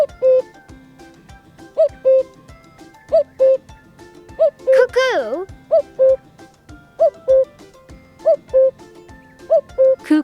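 A cuckoo gives its two-note 'cu-coo', the second note lower, repeated about every second and a half over gentle background music and a spoken word.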